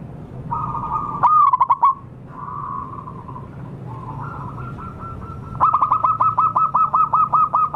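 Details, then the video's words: Zebra dove call played to lure wild local birds: one quick warbled trill, a steady purr, then a long series of short clipped coos repeated about twice a second. "suara pancingan dan pikat burung perkutut liar lokal paling ampuh"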